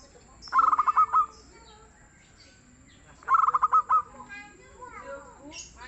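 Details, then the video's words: Local zebra dove (perkutut lokal) singing: two phrases about three seconds apart, each a quick stuttering run of short low notes followed by two longer rounded coos, over quiet background. "SUARA BURUNG PERKUTUT LOKAL YANG GACOR DAN EMPUK"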